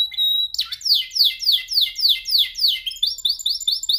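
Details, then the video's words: Canary in song training, practising its song: a steady held whistle, then a sharp swoop into a long run of descending slurred notes, about four each second, ending in quick high chirping trills. "Your canary sings immediately when he listens to this canary singing"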